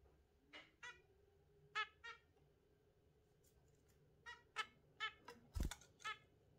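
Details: Exhibition zebra finch kept indoors alongside a budgie pair in the morning; short nasal, harmonic-rich honking calls given singly or in quick pairs, with a brief sharp knock near the end.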